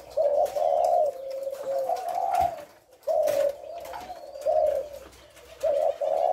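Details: Spotted dove giving the thổ lối call style, recorded on 18 September: low, mellow coos in phrases, each a steady hum rising and falling slightly, separated by short pauses, with a faint thin whistle above and quiet background hiss.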